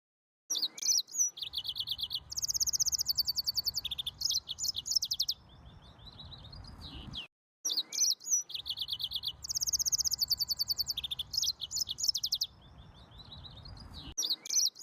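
An Atlantic canary sings a fast, high medley of rolling trills, buzzy rattles and sharp chirps. The whole phrase repeats after about seven seconds over a faint low hum.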